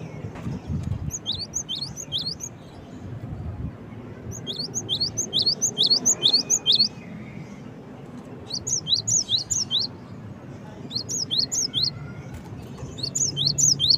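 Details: Cinereous tit calling, gelatik batu in Indonesian: short bursts of high, thin rising-falling chirps repeated about twice a second, separated by quiet pauses, over a low background rumble.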